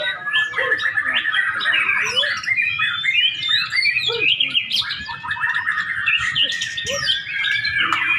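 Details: Competition white-rumped shama: a dense, varied stream of loud whistles, trills and quick rising and falling phrases, with other caged birds joining in and crowd chatter underneath.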